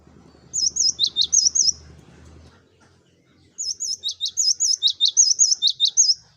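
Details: Cinereous tit giving a loud, lively song to lure flock birds: a short phrase of high, rippling whistles and falling notes over a faint low murmur, then a longer, denser run of the same notes.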